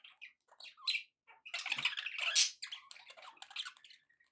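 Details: Happy pet budgerigars chattering: scattered short chirps, then a dense rasping, scratchy warble, ending in quieter twittering.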